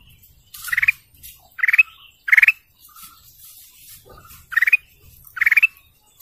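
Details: Golden canary repeating short rapid pulsed trills that rise slightly, about five bursts spread over several seconds, with soft background rustling.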